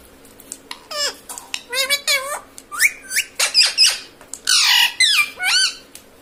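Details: Indoor talking parrot, mimicking words such as mummy and papa; rapid series of clipped, rasping, voice-like notes and hooked squeaks, with one harsh noisy squawk before the last few syllables, over low room hum.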